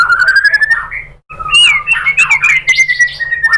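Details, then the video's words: White-rumped shama (murai batu) lure song from Indonesia, meant to provoke other shamas to answer: a long, rising, whistled phrase, a brief gap, then dense, varied whistles gliding down. A faint low hum sits underneath. "bikin MURAI BATU jadi NYAUT GACOR BONGKAR MATERI TEMBAKAN ¦ PANCINGAN MURAI ¦ SHAMA BIRD"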